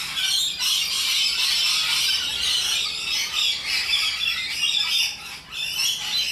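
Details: Wild rainbow lorikeets in Australia, noisy social parrots, producing a steady wall of shrill grating screeches from several birds at once, barely pausing, with a brief dip near the end.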